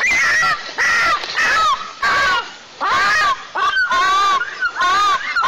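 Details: White-tailed eagle chick in a nest 20 m up a pine in southeastern Tatarstan, crying after being woken by a sibling, 23 July 2024; repeated harsh, downslurred squealing cries in bursts about every half second to second.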